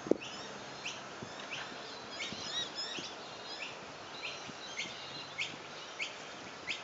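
A butcherbird gives short, clear notes repeated about every half-second, fairly faint over a steady background hiss.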